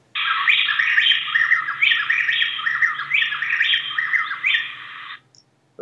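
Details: A mated pair of Plain-tailed Wrens in the Andes duetting, male and female alternating syllables so quickly it sounds like one singer: a fast, continuous run of loud, ringing whistled phrases for about five seconds.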